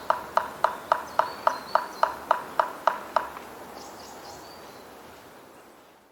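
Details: White-backed woodpecker, Hokkaido subspecies, drumming in Hokkaido, recorded with a Nikon COOLPIX P950: a burst of about eleven rapid knocks, slightly accelerating and fading, followed by faint distant bird notes and a high steady whine.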